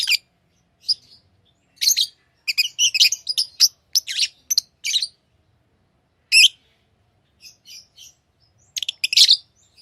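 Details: Tame lovebirds chatter with shrill, piercing chirps in irregular bursts, some single, some in rapid clusters of three to six, broken by short silences, ending with a dense scratchy flurry of high notes.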